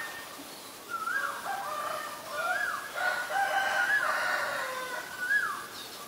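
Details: Black-collared starling recorded in Ubon Ratchathani, Thailand, on 17 April 2022: a run of clear, slurred whistles that rise and fall in mid pitch, overlapping in a loose chatter, with faint high repeated notes behind.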